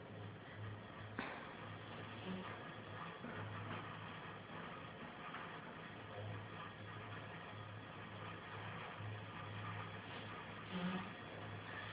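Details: Steady low mechanical hum and broadband indoor noise, with a brief click and a faint thump, and no animal voice.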